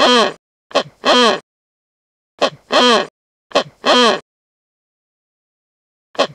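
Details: Wreathed hornbill (Rhyticeros undulatus) giving loud, hoarse two-part barks, a short note then a longer one, repeated three times in quick succession, then a single short note.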